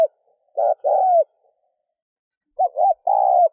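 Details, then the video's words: Spotted dove cooing in a recording for stimulating a decoy bird, urging coos. Two low, hollow phrases, each a short note then a longer drawn-out coo falling at the end, separated by about two seconds of silence. Clean background. "Mp3 tiếng chim cu gáy thúc gù kích bổi / chim cu gáy kích bổi nhanh nổi"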